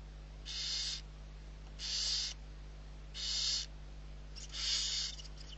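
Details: Six young barn owls being fed by people at Riet Vell reserve, Ebro Delta, Spain, on 21 November 2023. Four harsh, breathy hisses, each about half a second long, come every 1.3 seconds over a steady low hum.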